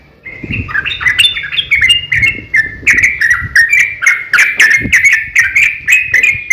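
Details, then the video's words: {'text': 'Fighting song of a yellow-vented bulbul, played to provoke other bulbuls: lively whistled phrases repeated roughly three times a second, swinging up and down in pitch, with faint low thuds underneath.'} "KICAU SUARA trucukan gacor ROPEL panjang pancingan trucukan agar bunyi"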